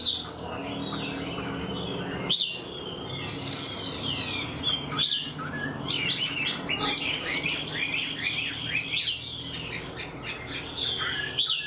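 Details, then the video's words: A captive Chinese hwamei that is untrained yet eager to sing pours out a long varied song. Rapid whistles, trills and sweeping notes change constantly, broken by a few brief gaps, over a faint low hum. "Họa mi mộc mau mỏ hót bài bản như chim thuần"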